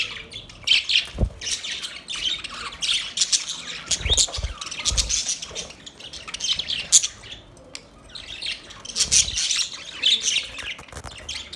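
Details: Budgies chirping in irregular clusters of buzzy, grating high notes separated by short quieter gaps, plus a few faint low knocks.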